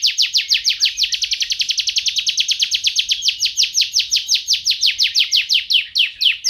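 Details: Canary in full, energetic song: a long unbroken trill of rapid, sharp, high notes repeated about eight times per second, slowing slightly toward the end, loud and clean with no other sounds.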